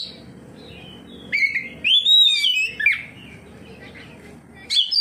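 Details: Oriental magpie-robin, a contest-type bird, singing in response to another magpie-robin: a few clear whistled phrases near 2 to 4k, sliding and warbling, separated by quiet gaps, with faint low background hum.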